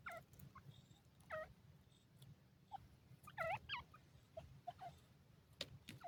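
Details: Grey francolin, locally called teetar, giving its love call: a broken series of short, harmonic, throaty notes, some rising and some falling, bunched most densely midway, over a steady low rumble with a few sharp clicks.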